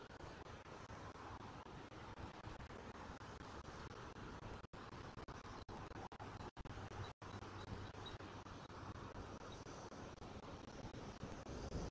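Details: Steady rumbling vehicle and roadway noise with wind, several brief dropouts and no animal voice.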